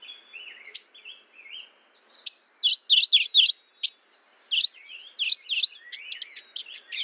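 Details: Mourning warbler calling amid thin whistles and sharp chips from other birds; loud clusters of quick, rolling, wavering notes come in several bursts, the last ones becoming faster and choppier.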